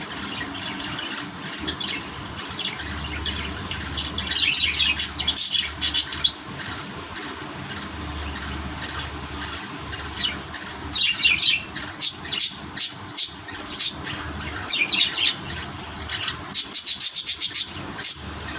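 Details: Pet budgerigars, eating greens, chatter with rapid high squawks, chirps and warbles, overlapping in a busy flock.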